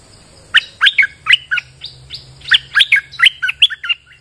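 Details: Bulbul singing on a rainy day as a lure: a continuous run of bright, bubbly chirps that leap between low and high pitches, roughly a dozen notes in quick uneven rhythm over a soft low hum.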